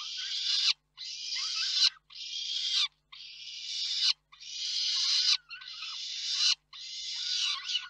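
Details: Harsh, drawn-out peregrine falcon wails from the Reda nest, 4 May 2023, during a food delivery by the father and feeding by the mother. Seven rough calls follow each other closely, each rising in loudness before a sudden stop.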